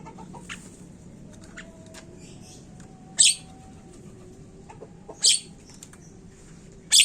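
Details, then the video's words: Javan myna sound to get birds calling quickly: three harsh, hissing bursts about two seconds apart over faint soft chirps and low hum. "Pancingan burung jalak Kebo cepet bunyi"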